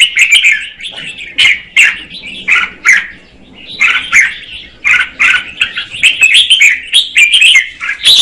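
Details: Red-whiskered bulbul female singing to stir up the male, delivering short bubbly whistled phrases separated by brief gaps, each burst rich and slightly buzzy, with sharp clicks mixed in.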